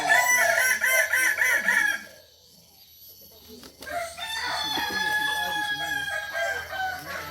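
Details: Kokok Balenggek rooster, native chicken of Solok in West Sumatra, famed for a multi-stepped crow; a run of rapid pulsed crow notes for two seconds, a pause, then a softer drawn-out crow with layered tones.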